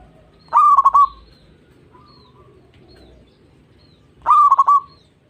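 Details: Zebra dove, called perkutut, singing to stimulate young or reluctant doves: two phrases, each a brief rising lead note followed by a quick burst of three or four throaty coos, spaced nearly four seconds apart.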